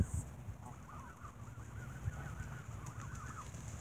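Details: Geese squabbling while being fed bread in the evening; a run of short, arched nasal honks in quick succession over steady low rumbling background noise.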